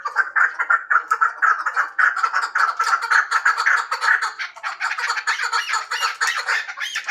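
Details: Harsh, rhythmic chuck notes from a hybrid chukar partridge, uneven bursts run together in a continuous rolling chatter that grows slightly busier toward the end.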